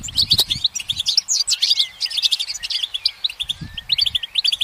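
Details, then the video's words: A goldfinch sings while perched, a quick jumble of bright chirps, buzzy rolls and short trills, with soft low thuds near the start and toward the end. "The goldfinch's motivational song"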